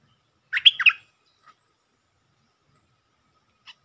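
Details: Single short, liquid, warbled phrase of quick slurred notes from a provoked territorial Stripe-throated bulbul, 'sap rik' lure style, followed by near silence.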